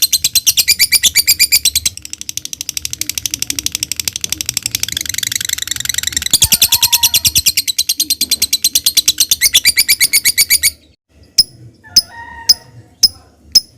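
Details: Lovebird ngetik and ngekek song, used as a lure to set other lovebirds singing: a long, fast, unbroken stream of high chattering ticks for about ten seconds, then a few sharp isolated clicks.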